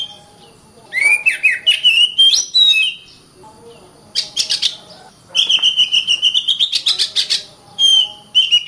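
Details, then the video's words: Oriental magpie-robin song recorded as masteran material for teaching other birds: varied phrases of clicks, falling slurs and whistles, then a rapid buzzy rattle of repeated notes under a sustained, slowly rising whistle. "Burung Kacer"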